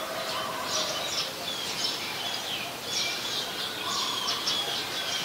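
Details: Scaly-breasted munias near Ubon Ratchathani, Thailand, on 7 January 2020 give a run of thin, high, soft chirps in loose clusters through five seconds, set against constant background hiss.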